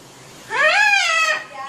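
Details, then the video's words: A pet talking macaw says a drawn-out, nasal "hiii" lasting about a second, rising then gently falling, with faint room noise behind it. "macaw parrot saying Hiii"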